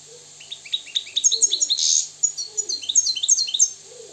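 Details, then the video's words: Moroccan European goldfinch pouring out rapid ascending chips that run into a buzzy burst, followed by bouncy repeated liquid twitters, with faint low warbles in the background. "استمع واستمتع الى طائر الحسون المغربي الحر الاصيل"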